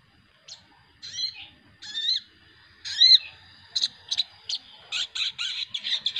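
Sooty-headed bulbuls give bubbly, slurred whistled phrases, then a quickening run of short bright chattering notes, several birds together.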